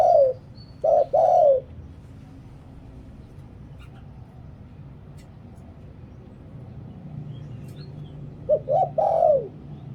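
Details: Spotted dove singing in the 'liew tan' style, used as a decoy voice to lure wild doves: two bursts of mellow, slightly falling coos, one opening and one near the end, with a quiet pause between and a low background hum.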